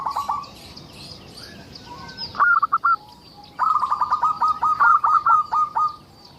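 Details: Zebra dove, a local Indonesian bird singing actively as a lure for other zebra doves: a short coo, a brief pause, then a long, fast series of clipped, evenly pulsed notes rolling on for over two seconds; faint distant chirps.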